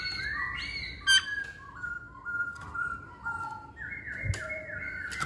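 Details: Masked laughingthrush, known locally as poksay Hongkong, singing a run of clear whistled notes held at level pitches and stepping between lower and higher tones, broken by a few sharp clicks or knocks.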